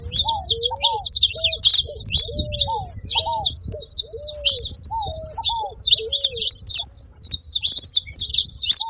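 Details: Saffron finch making noise: steady dense high-pitched chirping throughout, layered over frequent lower whistled notes, some rising, some flat, recurring every second or so.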